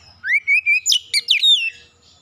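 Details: Oriental magpie-robin song meant to provoke a rival to sing: a rising whistled slur followed by three level whistles, then a burst of sharp, buzzy falling notes.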